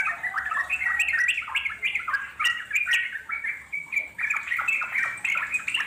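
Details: Wild trucuk song played to provoke replies: quick warbled phrases of bubbly, slurred notes, repeated in rapid bursts with short gaps between them.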